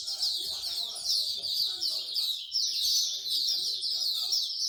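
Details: Loud high twittering chorus of songbirds at a bird singing corner in Singapore, rapid overlapping chirps throughout, with people's voices murmuring faintly in the background.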